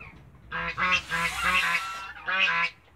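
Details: Male goose guarding its family in a backyard, calling with a quick run of about six deep, nasal honks in close succession, then a brief pause and two more honks.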